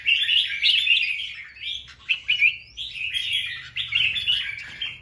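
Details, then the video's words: Red-whiskered bulbul male singing shrilly to attract a female: continuous rapid chattering whistles, brief gaps, then renewed strings of bright warbled notes, delivered in fast machine-gun style. "Chào Mào Trống Dụ Mái Hót Choé Như Liên Thanh"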